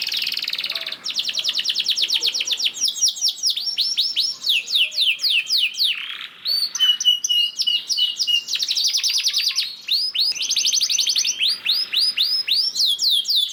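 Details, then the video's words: Lure song of a canary, played to start other canaries singing, long and varied with rolling trills, rapid rattles, steady whistled notes and bursts of upswept syllables, continuous throughout. "PANCINGAN KENARI GACOR DOR NGEREK PANJANG INI AMPUH BIKIN KENARI LAIN BUNYI"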